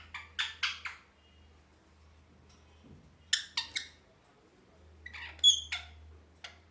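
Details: Pet parrot, described as happy, utters groups of three short raspy chirps separated by quiet pauses, ending with a brief bright whistle and a few scratchy notes; soft hum underneath.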